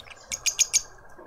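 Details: Juvenile lovebird being fed by its family in a Pretoria garden, South Africa: a quick run of four shrill, high squeaks at even spacing within about half a second, with a faint background hum.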